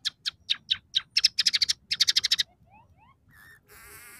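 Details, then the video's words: Scaly-breasted munia in lively full song, one of three song variations with fills of house sparrow, red siskin and canary: a fast series of high clicky notes quickening into a rapid burst, then faint upward slurred whistles and a thin wavering buzz. "suara burung emprit peking gacor dengan tiga variasi lagu"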